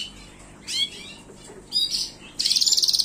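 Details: Gloster canary song with two brief whistled sweeps, then a fast buzzy trill of rapidly repeated high notes at the end.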